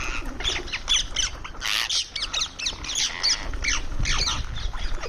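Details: Indian ringneck parrot calling while eating, giving a rapid series of harsh, scratchy squawks, each a short downward-sweeping note, repeated several times a second in loud clustered bursts with brief pauses, over a low background rumble.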